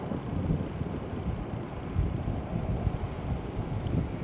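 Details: Steady low wind rumble on a riverside at Kawashima, Saitama, Japan, in February, with no animal calls heard.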